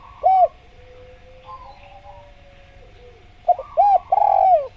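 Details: A single arched coo from a spotted dove (tekukur), then near silence with a faint hum, before a stuttered note, a hooked coo and a long falling coo begin a new phrase; masteran recording for tutoring doves.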